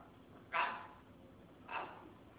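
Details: Talking military macaw uttering two harsh, raspy squawks roughly a second apart, broad and noisy, against a quiet indoor background.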